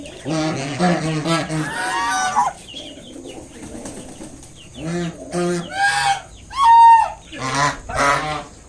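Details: Protective mother swan with five freshly hatched cygnets honks to drive away an approaching person: a run of harsh, nasal honks at first, then a pause, then several more short honking bursts and one clearer, higher tonal note.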